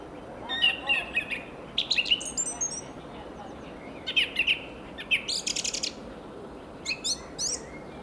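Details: In a local park on 21 March 2015, a fieldfare sings, seemingly to attract a mate, in short bursts of scratchy chattering mixed with thin, squeaky whistles, a new phrase every second or so, over soft hiss.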